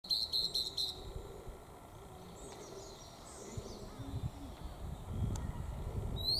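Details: A male Blue-and-white Flycatcher in Sapporo opens with a short burst of clear, high whistled notes, then fainter sliding whistles over a steady low rumble of wind, before quickly flying off.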